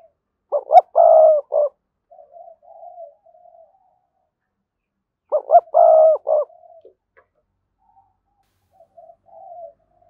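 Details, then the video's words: Decoy cooing of a spotted dove, played to make other doves coo: a phrase of several clipped low hoots and a longer coo, trailing softer murmurs, repeated twice about five seconds apart. "Tiếng chim cu gáy thúc bổi, mở lên nhá bổi gáy liền, giọng may bổi"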